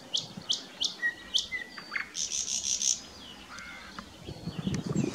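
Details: At Löderup on May 19, 2021, a thrush nightingale sings sharp, falling whipcrack notes about three a second, then a dry buzzing rattle and short flat whistles, with a low rumble at the end.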